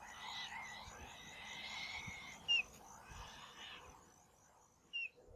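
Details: Black-shouldered Kite (Elanus axillaris) fledglings, siblings squabbling over a mouse at the family's perch tree with an adult present, give two short, thin, high squeals over rustling and harsh scratchy noise, with a steady high insect-like hiss behind.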